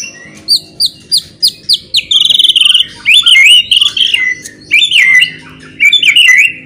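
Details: Loud provoking song of a white-rumped shama: a row of high sweeping notes, then buzzy sustained trills and warbled phrases, strong and repeated, that makes other shamas eager to fight.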